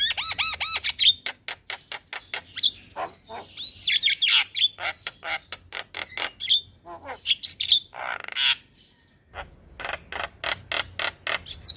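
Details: Morning song of a Javan myna, played as a master lure for caged birds: rising whistled notes, long trains of dry clicks, squeaky and harsh chattering bursts, a short pause, then more clicking.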